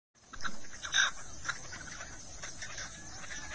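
A red-legged partridge gives two or three harsh, rasping chuck notes in the first second and a half, then only a low outdoor hiss remains.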